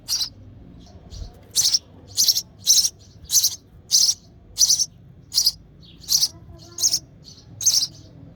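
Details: In the nest, a sparrow chick calls to be fed by its mother: a quick, fairly steady run of about a dozen piercing high chirps over eight seconds.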